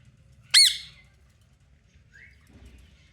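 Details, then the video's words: Caged pet parrot in Pakistan, moving about its cage in a playful mood: a single loud, harsh squawk, then a faint short rising note and quiet room background. "Mitu Parrot Original Voice"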